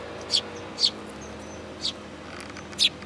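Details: Sparrows coming for food at a Tenmangu shrine on 8 July 2022; four short, sharp chirps spaced unevenly over about three seconds, with a soft background murmur.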